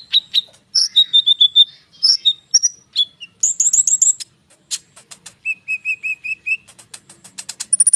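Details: Konin bird singing nonstop as a lure for songbirds: varied whistles, repeated slurred notes, even mid-pitched note series and fast high trills, rich and densely packed.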